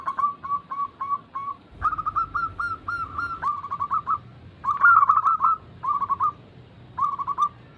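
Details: Zebra doves, local and Bangkok-type caged birds, cooing as a group to encourage other doves to sing. Short clipped phrases of quick repeated notes come in bursts, with several birds answering and overlapping.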